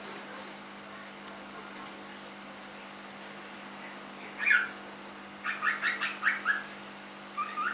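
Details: Young pet cockatiel aged three months: a quiet opening, then one sharp squawk followed by a rapid run of five or six chirpy, harmonic calls and a final rising note; soft hum behind.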